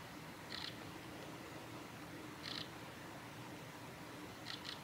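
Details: Female Siberian long-tailed rosefinch on the Hayatogawa forest road at Lake Miyagase, Japan, 28 December 2018: short, thin high notes about every two seconds, the last a quick double, over soft steady background hiss.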